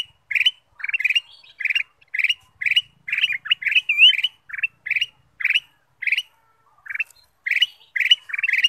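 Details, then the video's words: Ruby-throated bulbul song used as a lure for other birds: clipped chirping bursts repeated steadily about twice a second for several seconds, with one brief twisting whistled note midway and no other clear sounds. "pancingan kutilang emas"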